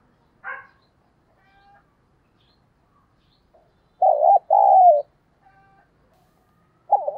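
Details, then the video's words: Decoy spotted dove calling daily to draw in wild doves: after quiet faint notes, two throaty coos follow back to back near the middle, then another coo begins at the close. "Chim Cu Mồi gáy kích bổi hiệu quả mỗi ngày"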